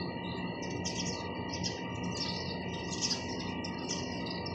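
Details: Several sparrows chirp in quick overlapping bursts of sharp high notes, with a steady humming drone underneath.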